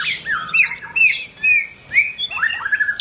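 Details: White-rumped shama in form building giving short bursts of clear, slurred whistles and rasping notes separated by brief pauses.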